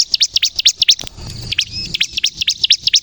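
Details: Bar-winged prinia, a crystal-type bird in full, lively song used to lure and trigger other birds to sing: rapid, sharp, high chirps repeated about twice a second, broken by a brief buzzy pause with a faint hiss.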